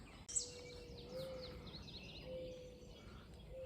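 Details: A mourning dove at Baldpate Mountain near Trenton gives soft, low, drawn-out hooting coos about once a second, while other birds add thin, high, down-slurred chirps in the background.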